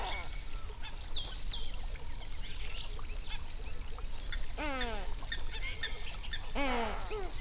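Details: Flamingos on a national park lake in South Africa's Overberg, recorded binaurally at sunrise: two loud, drawn-out nasal honks falling in pitch stand out about two seconds apart, amid quieter flock chatter and low rumble.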